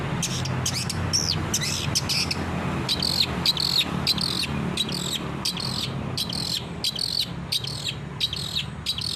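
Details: Long-tailed shrike used as training audio for captive birds: repeated short, scratchy rasping phrases about three a second, fairly even, over a steady low drone.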